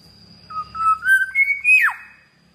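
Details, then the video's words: A pet Black-naped oriole, called kilyawan in the Philippines, gives one mellow whistled phrase that climbs in short linked steps and then drops sharply at the end. A thin constant high hum runs underneath. "BLACK NAPED ORIOLE (KILYAWAN) PHILIPPINES 🇵🇭 BEAUTIFUL SOUND(BIRD)"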